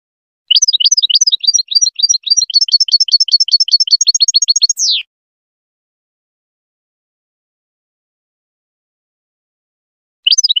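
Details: European goldfinch singing to tutor young birds: a long fast run of tinkling chirps with a falling buzzy finish, a long silence, then the twittering resumes.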